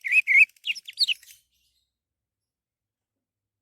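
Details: Orange-headed thrush song used as a lure to prompt other birds to sing: a short burst of loud, clear whistled notes, the first two held and slurred, then quicker falling and rising phrases, followed by silence.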